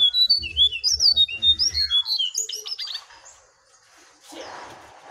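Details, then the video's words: Jongkangan, caged and wild birds in a singing duel: a dense run of bright, sliding whistled phrases for two seconds, fading into a faint hiss. "Adu Gacor Jongkangan Liar VS Jongkangan Sangkar"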